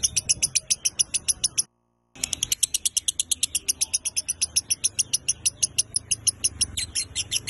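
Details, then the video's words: Indonesian masteran recording of a lovebird in 'konslet minor' style: quick, scratchy repeated notes in a long string, interrupted by a short silent gap, then resuming at the same brisk pace. "MASTERAN LOVEBIRD GACOR KONSLET MINOR"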